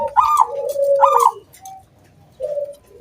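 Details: ['Local zebra dove singing to prompt other doves into song. Two quick, loud, ringing pulsed notes over a sustained low coo, then a pause and a single soft coo.']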